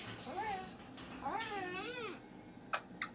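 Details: Unhappy pet cockatoo at home on a Monday morning. It makes two long, wavering, nasal wails that swell and sag in pitch, followed by a few sharp clicks.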